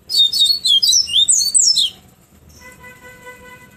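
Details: Afternoon tonzé-style fluted song of a Bahia seedeater in Pero Vaz, Salvador, with quick, bright whistled phrases that twist and sweep for nearly two seconds, then stop, leaving a faint steady droning tone behind.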